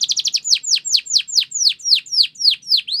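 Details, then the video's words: Belgian canary song used for training other birds to sing: a quick burst of short high notes, then a slower series of descending whistled sweeps, about four per second. "Belgian Canary Tempts All Birds To Sing"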